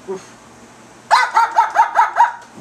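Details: Pet female cockatoo imitating a small dog's bark indoors: after a quiet second with a brief sound at the start, six short, harsh, rhythmic bark-like yaps follow in quick succession, roughly five per second.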